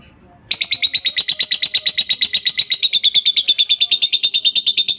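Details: Lovebird ngekek (long chattering) used as a master recording to train other lovebirds to sing; a fast, sharp, high-pitched chatter repeated about three times per second, continuous for over four seconds after a brief quiet start.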